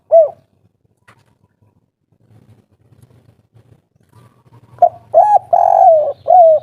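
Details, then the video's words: Agitated spotted dove giving the three-note kuk 3 call, a local wild bird's voice used to provoke other doves to answer: one low hollow coo, a quiet pause with faint low hum, then a run of mellow cooing notes. "Suara asli tekukur kuk 3 ngamuk - raja pancingan langsung nyaut"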